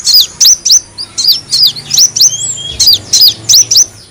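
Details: Van Hasselt's sunbird lure sound: evenly spaced, loud, sharp chirps that each flick sharply down, about three per second, with a soft sliding whistle in the middle.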